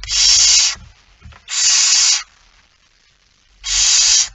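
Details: At night on 17 September 2019, 23:55, a male barn owl arrives with a mouse; three strong, sandpaper-like hissing screeches, each lasting under a second, separated by quiet gaps with slight low rumbling.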